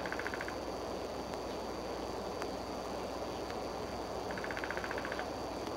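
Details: Decorah bald eagles, a pair perched on the Y branch by the nest on 3 March 2013 around 9:00 am. Two bursts of rapid, evenly spaced high chips at the start and near the end, over constant broadband hiss.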